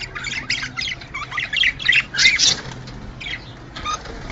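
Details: Budgerigar mating chatter played to encourage pairs to breed: rapid scratchy chirps and harsh squawky notes, with a louder burst of warbled squeaks in the middle before the sound thins out.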